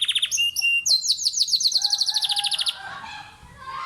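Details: Domestic canary, a pet bird kept at home in Islamabad, Pakistan, singing in the early morning: fast buzzy trills at high pitch, then long runs of rapid repeated notes ending in a lower, softer warble.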